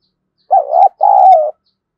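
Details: Decoy spotted dove giving a fight-provoking coo in the 'thổ' voice. A single clear phrase: a short note rising and dipping, then a longer steady coo trailing downward.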